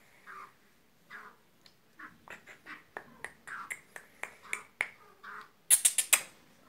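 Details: Black francolin, known locally as kala teetar, a male calling his mate on a teetar bird farm; harsh, grating mid-pitched notes that speed up into a rapid clicking series, ending in a burst of loud, sharp cracking notes.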